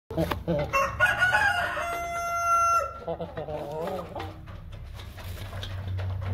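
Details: A Light Columbian Brahma rooster gives one long, hoarse crow lasting about two seconds, followed by softer clucking and a low background rumble.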